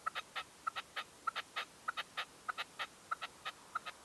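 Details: Red-legged partridge decoy at a dawn hunting post, 2023, calling in a steady rhythm of paired and tripled short notes, repeating about every half second, clear and unmasked.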